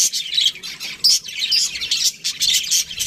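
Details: Budgerigars chirping in an aviary: a dense flock chatter of high, scratchy warbles and squeaky chirps in short bursts, overlapping continuously with brief pauses.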